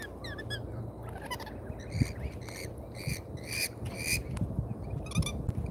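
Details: Lorikeets at an Australian feeder on a live camera: loud, rasping, harmonic screeches repeat about every half second in the middle stretch, with softer chatter before and after, over low rumbling background noise.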